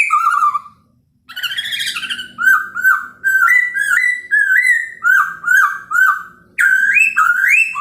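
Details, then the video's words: Chinese hwamei's morning song for provoking other birds: an opening whistle, a second of quiet, a harsh buzzy note, then a long series of clear, repeated, upward-hooked whistles. "POKSAY HONGKONG kicau pagi hari buat EMOSI burung lain cocok untuk PANCINGAN pasti NYAUT dan GACOR"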